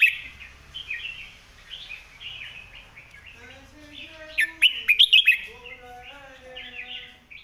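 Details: Red-whiskered bulbul master phrase for teaching birds: busy background chatter and warbling from other birds, broken by a loud, ringing phrase of five quick whistled notes midway.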